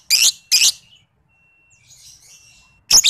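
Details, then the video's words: Lovebird under five months old, lure recording for training other lovebirds: two quick harsh shrill chirps, a pause with soft chatter and a thin whine, then another loud chirp. "PANCINGAN MASTERAN LOVEBIRD PAUD BALIBU"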